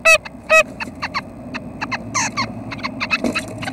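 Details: Nuthatches at the nest on a May 25 morning at 6:30, expected to fledge that day: two loud nasal, buzzy notes open, then quicker soft chirps and clicks follow in irregular runs.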